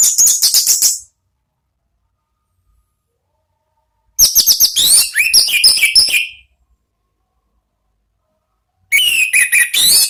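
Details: Orange-headed thrush delivering high, bright ngeplong song in three bursts split by long silences. The phrases are dense, fast trills and chirps mixed with downward-slurred whistles.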